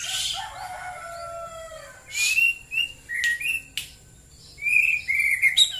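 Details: Morning shama singing in Klaten, Central Java: soft warbled opening, then short bright whistled notes and clipped chirps in separate bursts, with light background hiss.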